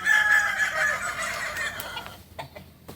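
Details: A kukuak balenggek rooster's long crow at a group practice in Panyakalan, Solok, sustained and slowly falling before trailing off, followed by faint clucks and clicks.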